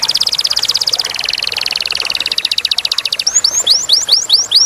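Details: Canary song with a clear voice: a rapid rolling trill for several seconds, changing into spaced, hooked, upward-then-downward whistled notes.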